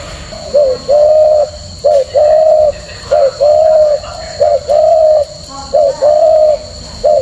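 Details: Male spotted dove cooing: low, mellow two-part coos, a short note followed by a longer held one, repeated steadily about every 1.3 seconds, over a faint background hum.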